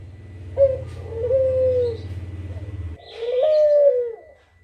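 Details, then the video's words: Kugeruk call played to lure other birds into answering: a brief opening note, then a drawn-out mellow coo that dips at the end, heard twice, with a low droning hum under the first. "Suara Burung Kugeruk Cocok Buat Pancingan"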